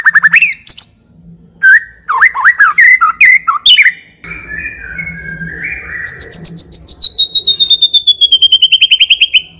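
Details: White-rumped shama in continuous full song, used as a lure for training. Quick slurred whistles, a buzzy grating passage, then a long run of rapid repeated high notes descending slightly.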